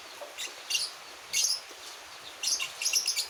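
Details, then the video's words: Javan white-eye, one month old, learning to sing, giving short bursts of high thin twitters in three groups separated by brief silences. "Balibu 1 bulan belajar bunyi"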